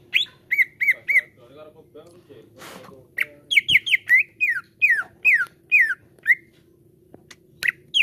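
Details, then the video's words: Cucak ijo, the greater green leafbird, in a lure recording for caged birds: short whistles, a brief soft stretch with a noise burst, then a lively series of downslurred whistled notes. "JADIKAN CUCAK IJO ANDA CEPAT NGEPLONG PANCING IJO INI"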